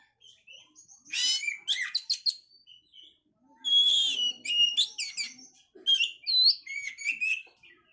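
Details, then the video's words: Oriental magpie-robin song meant to bring on breeding condition: clear whistles, rapid chip series and rising slurred notes delivered in bursts about every couple of seconds, background quiet. "pancingan suara Kacer untuk mendongkrak birahi"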